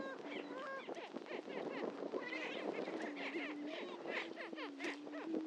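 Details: Dense chorus of greater prairie-chickens at a historic lek, Dunn Ranch Prairie, Hatfield, Missouri: continuous low moaning hoots under many overlapping cackles, clucks and short whooping notes.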